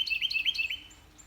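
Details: Carolina wren in a garden in mid-eastern Georgia on a spring morning, singing to its mate about a house found in the woods; fast run of bright, rolling whistled phrases, four repeats, then fading to faint chirps.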